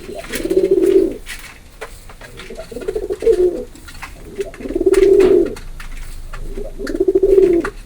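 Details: Low, rolling pigeon coos come in four bursts spaced about two seconds apart, with light tapping and rustling between calls.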